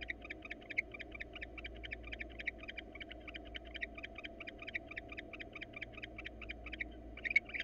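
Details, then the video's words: Wild barn owl female, one of a pair nearing breeding season in hot weather, inviting a male to mate while he shows no interest; a fast run of short, high ticking chirrups, about three per second, irregular and fairly soft, over low steady hum. "Yet again male barn owl turns down females invention to mate."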